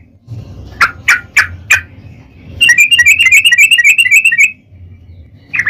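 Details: Sooty-headed bulbul song meant as a lure for other bulbuls: a few sharp separate chirps, then a quick rolling run of warbled notes lasting about two seconds, over low background rumble.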